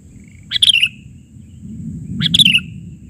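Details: Sooty-headed bulbul known locally as kutilang, singing an isian-style bahari version: two quick bubbly phrases of chirped notes dropping slightly at the end, spaced under two seconds apart, over faint low hum.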